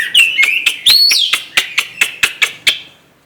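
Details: White-rumped shama singing: a few rich whistled slurs followed by a series of sharp, evenly spaced clicking notes about every quarter second, fading out.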